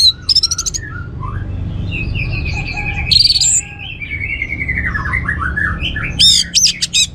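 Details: An Orange-headed thrush (Geokichla citrina) sings a varied, rich phrase of slurred whistles and chattering notes, with sharp high trills at the start and end, over a low background hum.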